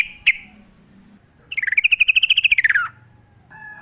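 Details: Sooty-headed bulbul in active wild song among natural sounds, a single sharp note followed by a long rapid trill that rises, levels off, then drops away.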